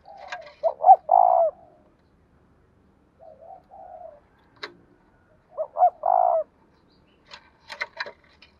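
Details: Spotted dove in the 'giọng đồng thổ' style, 'thúc rút bổi' manner: two full coo phrases of quick double notes and a long hollow coo, soft murmured coos between, sharp clicks near the end.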